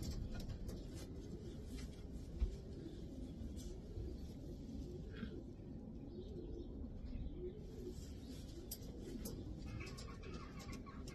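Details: Racing pigeon cooing: a run of low, rounded coos that rise and fall in arcs, about one each second, over a steady background hiss with a few faint higher chirps and clicks.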